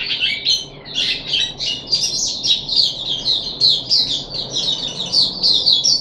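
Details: Caged puff-backed bulbul recorded 14 July 2021 during deworming, starting with scattered chirps that build into a quick, bubbling run of high whistled notes.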